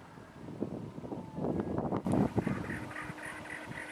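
A cactus wren gives a rapid run of harsh, chugging notes, about four per second, to attract a mate. Wind rumble, handling noise and a man's voice are also heard.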